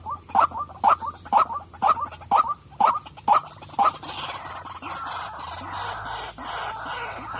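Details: Female white-breasted waterhen calling with about eight loud, regular nasal croaks roughly twice a second, then the calling stops and a rustling, broadband noise takes over.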